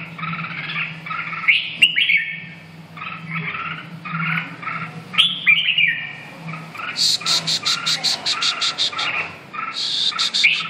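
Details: Red-whiskered bulbul repeating cheerful warbled phrases with a couple of sharp knocks, later joined by a rapid series of high, thin ticking notes from another bird, over a low hum.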